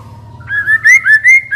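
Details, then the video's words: Whistled phrase from a young wild white-rumped shama, played to stimulate stressed birds into singing: a flat, soft opening note, then louder rising and falling whistles over a faint low hum. "Pancingan MURAI BATU Muda Hutan, Stres, Macet Nyaut Cuma Hitungan Detik"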